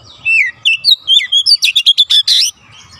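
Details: Magpie robin delivering a fast bright song, whistled slurs speeding into a rapid series of sharp chirped notes, about a dozen in quick succession.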